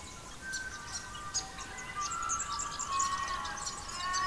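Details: Australian magpie singing in an Australian forest at the dawn chorus: rich, sustained warbling notes held low and steady, over a background of many small birds chirping and tweeting high above.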